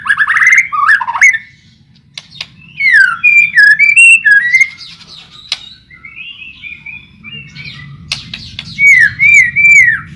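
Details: White-rumped shama song meant to prompt shamas to sing: clear whistled notes dipping and rising, scattered sharp clicks and short chirps, ending in a series of looping, wavering whistles, with a low hum in the background.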